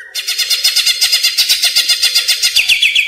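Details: Greater green leafbird (Chloropsis sonnerati) lure call, used to attract birds and to train caged birds: a fast series of harsh, high, chattering notes, about four each second, with no pause.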